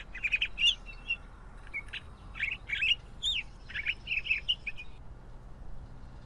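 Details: Pine grosbeak song made of crisp chirps and looping whistles in close-spaced groups, the phrase running about five seconds before falling quiet.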